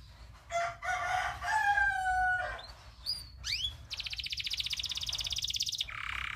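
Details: Local canary tutor song: low warbled phrases, a few sharp upward whistles, then a long fast rolling trill and a brief lower buzzy ending.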